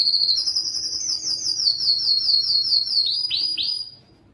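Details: Singing canary, a strong distinctive bird recorded to encourage males to sing; a high, rapid trill drifts slowly downward, then two sharp downward-swept notes before the song fades out.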